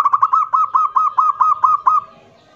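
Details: Local zebra dove with a loud kerot nguwor song, used to lure other doves into singing: about ten quick, evenly spaced cooing notes in a rolling burst lasting two seconds, then fading out.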